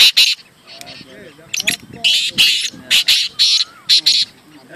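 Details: Black francolin at a calling tournament giving a run of loud, rasping, buzzy notes in quick groups, about ten bursts in under five seconds, with men talking between and under the calls.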